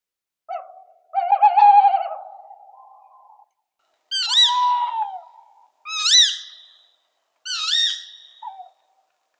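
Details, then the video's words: Tawny Owl giving a long, low, wavering hoot, then three sharper, rising, nasal calls spaced about one and a half seconds apart. "Tawny Owl"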